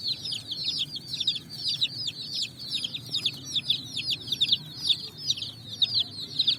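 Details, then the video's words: Evening flock of colourful chicks finding food on sand, a steady, crowded peeping of high, sharply falling notes, rising and falling in loudness throughout. "Beautiful Colors Chicks Jumping n Running up On Sand Video Compilation With "Chicks Chirping" Sounds"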